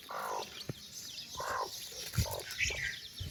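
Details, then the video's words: Mother hen calls her chicks to come on a walk, giving short harsh harmonic calls in quick bursts, with thin high peeping from the chicks and scattered low knocks. "mother hen calling her babies chicks for walk"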